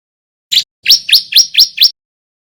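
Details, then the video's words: Male white-breasted bar-winged prinia learning to sing: one sharp upslurred whistle, a short pause, then five quick rising chips in a tight, bright run. No other sounds. "Suara Ciblek belajar bunyi GACOR"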